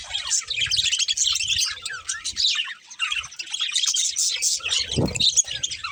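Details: Two budgies, a breeding pair, keep up busy warbling chatter, fast twittering notes and little squeaks layered densely, one low bump heard late in the sequence.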